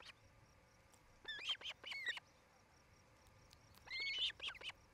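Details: Osprey at its nest in Charlo, Montana, from a camera on 8 July 2018 in the early evening: two short bursts of rising whistled chirps separated by a quiet gap, over low steady background noise.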